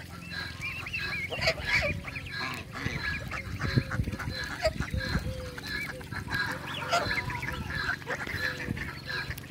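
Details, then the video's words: Call ducks giving loud, harsh, nasal overlapping quacks from several birds, with other waterfowl honking alongside, in a backyard where call ducks meet Cayuga ducks; finding: domestic duck. "CALL DUCK"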